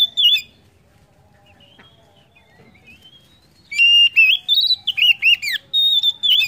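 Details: Oriental magpie-robin song used as a prompt for other birds to sing: a bright opening whistle, faint soft warbling, then a rapid run of looping, up-and-down whistled notes finishing with clear level whistles.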